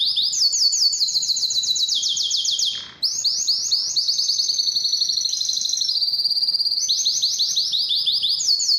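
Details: Canary song used to prompt a bird to sing and prepare it for mating: rapid, rolling trills high in pitch, run almost without a break, with one brief pause before the rolls resume and shift between tones.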